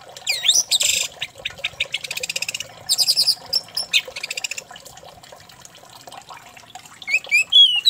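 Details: Orange-headed thrush song used as a lure to make another thrush sing intensely: a rapid, varied run of high sweeping whistles, trills and chattering notes in bursts, with a quiet stretch before a final loud flourish.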